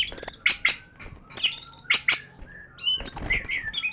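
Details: White-rumped shama singing: sharp chips and short whistled notes with a longer sliding whistle near the end, over a faint background hum.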